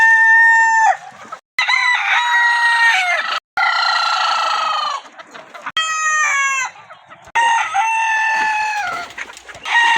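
Roosters crow in a string of loud, harsh, drawn-out calls, about five in ten seconds. Each crow is a strained, rasping phrase with abrupt cuts between them.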